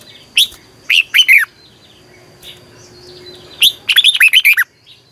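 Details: Vietnamese caged red-whiskered bulbul in morning training: short sharp chirps followed by a slurred three-note phrase, a pause, then a fast tumbling run of rich, falling whistled notes.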